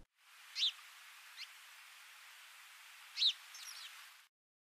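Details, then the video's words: A small flock of house sparrows, wanderers from nearby homes, landing at the far end of a restored stream pasture on an early August morning, giving a few short bright chirps, two louder ones about 2.5 seconds apart, over steady outdoor hiss. "In the far end, a small flock of house sparrows lands, vocalizing."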